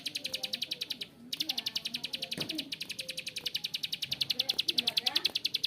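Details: Bar-winged prinia producing a rough, extended ngebren: high sharp clicks at a quick, slightly uneven rate, pausing once early on, with faint lower chirps in the background.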